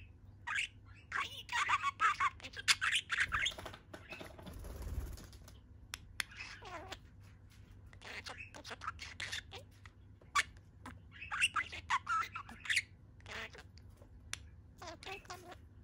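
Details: Contented pet budgerigar lifting one leg while chattering indoors: long stretches of scratchy warbling and clicking chirps in uneven bursts, with a brief low rumble of handling noise midway.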